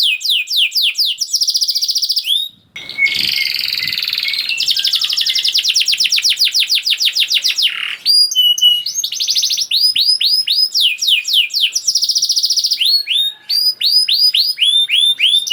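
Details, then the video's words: Energetic canary song meant to prompt quiet canaries to sing: quick rising whistles, dense rolling trills, and a brief harsher buzzy stretch before bright repeated notes return. "Kenari Gacor Speed Rapet Ampuh Buat Kenari Macet Jadi Ikut Gacor Lagi || Voice of Canary"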